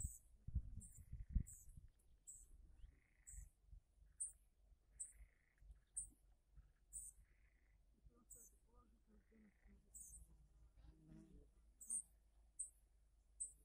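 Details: Yellowhammer fed by fishermen with fish bait, 18 June 2018: brief high, sharp call notes repeated irregularly about once a second, with fainter lower chirps between them and low background rumble.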